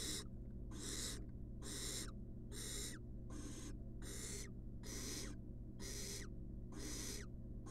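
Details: Wild barn owl chick in a monitored nest box, being fed a rat, gives long rasping hissy screeches about once a second, broad noisy bursts with a falling tail, over a steady low hum.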